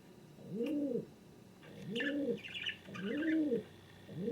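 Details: King pigeon repeating low, rounded arched coos at roughly one-second intervals, while brief chirpy twittering sounds between the coos.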